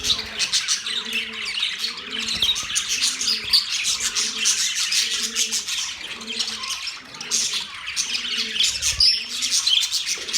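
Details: Constant budgerigar chirping, a thick wash of fast, buzzy twitters and squeaks, over a soft low arched hum that repeats roughly once a second.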